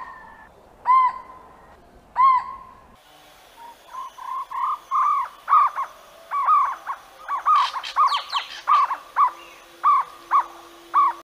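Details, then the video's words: Jungle owlet: two separate ringing hoots open the sequence, then soft notes build into a long, accelerating chain of louder barking calls that keeps going steadily, with faint higher chirps from another bird in the middle. "Jungle Owlet Call"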